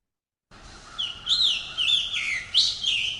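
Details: Scarlet Tanager song: a series of hoarse, burry, robin-like phrases run together, each slurred up and down, several in under three seconds, with a slight buzzy quality.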